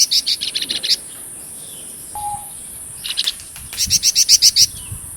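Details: Golden-bellied gerygone (flamboyan) in vigorous song, recorded for training shamas and magpie robins. Several bursts of quick, high chipping notes, a short low whistle between them, and a final run of loud ringing notes.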